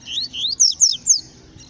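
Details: Yellow-bellied seedeater singing in the bush: a quick series of five loud, clear whistled notes, the first two sliding upward, the later ones higher and sweeping down, all within under a second and a half.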